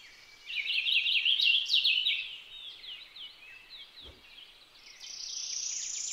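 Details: Purple finch song: a loud, rich, rapid warble of tumbling, descending notes lasting about two seconds, then softer scattered notes, a faint thump, and finally a steady high hiss.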